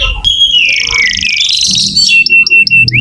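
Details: Vigorously singing canary, played to prompt young or silent canaries into song: sustained high tonal warbling, then a run of short repeated whistled notes with a final rising note.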